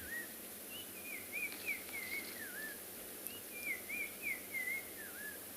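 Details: Black-crowned Tchagra calling loudly on a quiet afternoon at Tswalu Kalahari Game Reserve, South Africa, on 27 February; two loud whistled phrases, each slurred and wavering up and down before dropping at the end, over a steady insect hiss.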